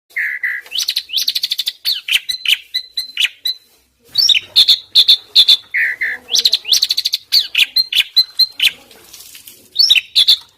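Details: Asian pied starling song used as a master recording for training songbirds: loud repeated phrases of low whistled notes followed by harsh, buzzy high chatter bursts and squeaky whistles, in a fast irregular series with short pauses.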